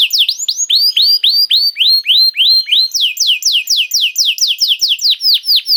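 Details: Canary singing as bait to get other canaries singing: rapid trill of downslurred whistled notes, about four per second, shifting midway to a higher, brighter repeated note series.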